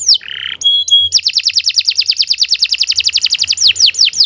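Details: A canary opens with a falling whistle and a short nasal buzz, then two sharp high notes, followed by a fast, even trill of rising-falling whistled notes and a few slower swooping notes at the end.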